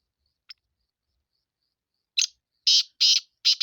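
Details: Sindhi black francolin: a single faint note, silence, then a rasping call phrase of a short lead note and loud grating notes repeated rapidly, ending abruptly.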